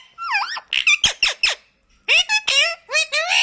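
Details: Talking parrot indoors producing squeaky, speech-like chatter in bursts, high-pitched and shrill, with a brief pause midway, beside an owner praising it.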